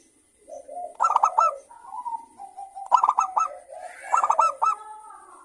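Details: Lively local zebra dove, crystal-voiced, used to coax other doves into singing: three bursts of quick, ringing notes separated by soft, wavering coo trills.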